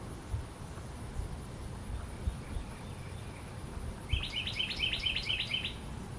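A Carolina wren gives a quick burst of about six rolling, repeated notes near the end, over steady low wind rumble.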